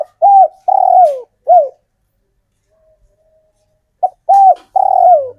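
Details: Wild-origin local male spotted dove calling closely and insistently for females: two four-note phrases of soft coos, each closing with a longer, downward-gliding coo, separated by a pause of about two seconds.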